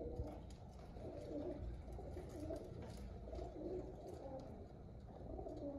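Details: Happy pigeons producing a continuous chorus of throaty coos, some rising then falling, many birds overlapping in a low warbling drone.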